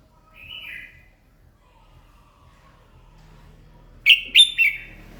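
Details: Red-whiskered bulbul morning song used to stimulate singing: a soft downslurred note, then after a pause a loud quick run of three bright chirped notes.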